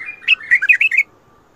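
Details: Bulbul performing a refined Mandali and Badra song style: one rapid, loud phrase of about eight bright, liquid whistled notes rising and falling, then silence.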